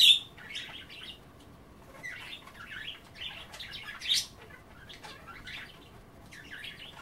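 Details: Pet budgies nibbling rehydrating kale during a bath offer soft scratchy chattering phrases and short squeaky warbles in loose bursts, with a few sharp clicks and a loud knock at the start.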